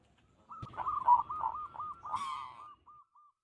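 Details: Local zebra dove giving a clear lure song meant to call rivals: a fast run of short, rounded cooing pulses at steady mid pitch, swelling then fading into a few soft final notes, with faint low rustling underneath.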